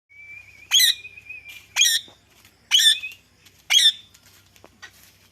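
A ringneck parrot gives four loud, harsh, raspy squawks about once a second, opening with a thin, steady whistle and ending with a softer chatter.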